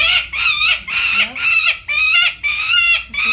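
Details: Three Peregrine Falcon chicks, all female, just past three weeks old, screeching when lifted from a rooftop nest box in Jersey City for banding; harsh, loud, harmonic screams repeated in bursts roughly twice a second, faint human voices behind.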